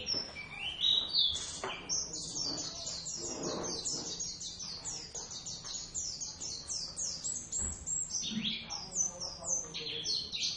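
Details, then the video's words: A pair of Javan Oriental white-eyes sing an early duet in the ngeriwik style. Dense streams of very high, quick twittering notes run almost nonstop, some slurred downward, over a faint low hum. "pleci nakula sadewa ....gacor ngeriwik"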